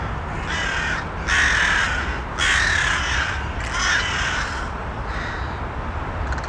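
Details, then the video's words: Crows cawing in an ambient outdoor recording: a series of harsh, raspy caws about one per second, each roughly half a second long, over a steady low rumble and hiss. "Ambient Sounds Of The Crows"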